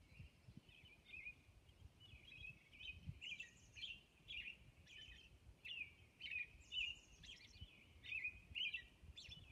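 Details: American robin singing dawn song on Orcas Island: short whistled phrases, about two a second, mixed with high thin squeaky notes, over a faint low rumble.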